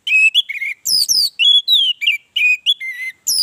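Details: Orange-headed thrush singing as a lure for other birds: a continuous stream of loud, varied whistled phrases, mixing falling slurs, short chirps and sweet rising notes in quick succession.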